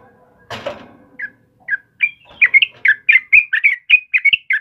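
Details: Yellow-vented bulbul, a lively singing bird used to prompt and tutor caged birds: after a brief broadband thump, short whistled chirps around the upper-middle register come in, speeding into a run of rapid, slightly buzzy notes.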